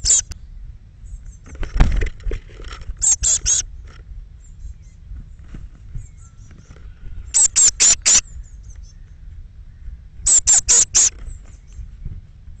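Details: Eurasian blue tit fledglings, thirteen leaving a nest box on the morning of 21 May 2017, give very high, thin calls in quick bursts of three to five notes every few seconds, over a low rumble of wind.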